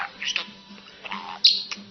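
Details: Male pet budgerigar in Glasgow, perched on his owner's shoulder, rants after demanding a kiss, using a thin, scratchy, high-pitched voice to imitate human words, including swearing, in quick bursts.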